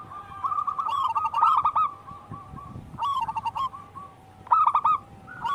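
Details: Actively singing local wild zebra dove, recorded as a lure for training captive birds: three bursts of rapid stuttering coos, each followed by a softer string of short, even notes, over a constant low hum.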